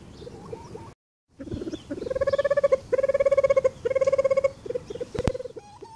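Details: In an aviary, Reeves's pheasants recorded by a camera trap give bursts of rapid, ringing pulsed notes in short series, with a few upward-curving call notes before and after, and a brief sharp click near the end.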